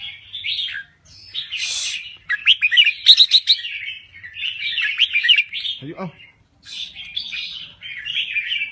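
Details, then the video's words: Energetic song from a Thai red-whiskered bulbul: bursts of rich, gurgling warbles separated by short gaps, with a few sharp clicking notes mixed in and a quick downward sweep near the sixth second. "Kicau Burung Merbah Jambul Gacor"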